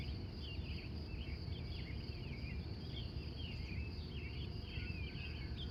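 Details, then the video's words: Early-morning wild birds in Glendive, Montana, USA, from 3:45 a.m., give scattered bright chirps and slurred warbles at a softer level, set against a steady high-pitched hum and deep background rumble. "The Wild Morning Birds Of Montana"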